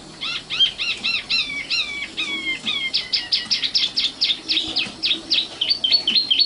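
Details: Varied common nightingale song. Looping whistled notes run in a quick series, then a drawn-out falling phrase, then a fast rhythmic stutter of sharp high notes near eight per second, ending in twisting chirps.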